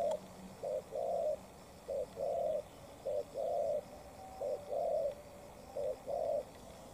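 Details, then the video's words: Decoy spotted dove with a cut tail fighting a wild bird, trading cooing. Deep, rounded coos alternate between a brief note and a longer held one, four pairs in a steady run, with a faint low hum behind. "Mồi Cụt Đuôi DNa Quyết chiến Bổi Đồng Sấm - 1 con bổi Chất lượng."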